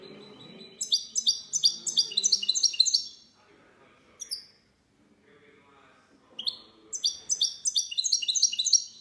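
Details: Goldfinch hybrid singing clean song, 19 March 2020: bursts of sharp, rapidly repeated chirps roughly four per second, separated by a quiet pause with a couple of single calls, over faint low background rumble.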